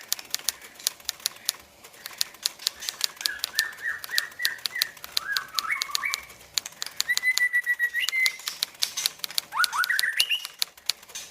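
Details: Captive tame white-rumped shama under contest training on a hanging pole, singing soft phrases of stepped, whistled notes and rising slurs over steady, rapid ticking clicks that run through the whole recording.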